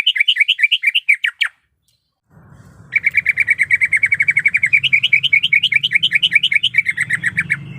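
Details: Greater green leafbird female in heat, calling for a male. Slurred rising-and-falling notes stop abruptly, then silence, then a long, rapid chatter of high chirps that quickens into looping, wavering notes over a faint low hum.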